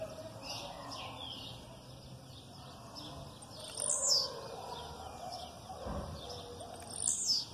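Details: A Blue-black grassquit delivering an aggressive song over background female calls: high buzzy descending notes roughly three seconds apart, faint chirps and a low rumble between.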